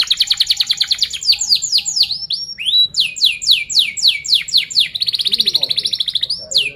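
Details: Canary song played to tutor young canaries learning to sing: a tight rolling trill of rapid high notes, then a run of loud downward-swept whistles, a brief pause, and another fast even trill.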